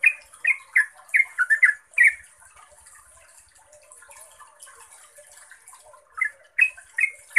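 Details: Yellow-vented bulbul, locally trucuk, singing a rapid 'ropel' lure song meant to make other bulbuls answer: bubbly, warbled notes in a fast run, a quieter pause with faint chatter, then another burst; steady high hiss above.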